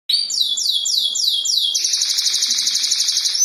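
A canary sings loud, high rolling phrases: about five quick descending sweeps, then a fast, steady trill.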